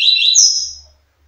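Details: Double-collared seedeater male singing freely toward a female, a loud, brief, high warbled burst that slides upward, then trails off into a fading whistle within under a second. A low background hum follows.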